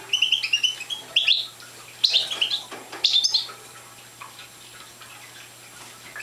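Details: Young European goldfinch of the Parva subspecies, not yet in full song, giving short bursts of high twittering notes separated by pauses, with quiet stretches toward the end.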